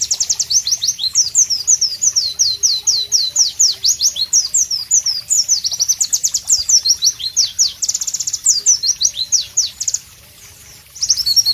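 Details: White-eye (Pleci) singing loudly in a tropical ambience: rapid, sharp, high descending whistled notes strung in a long continuous run with varied phrases, pausing briefly near the end before resuming.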